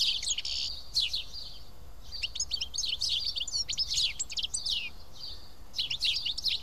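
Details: A feeding flock of house sparrows at Karyotissa in Greece: bursts of sharp overlapping chirps come in clusters with brief quieter gaps, over a steady low hum.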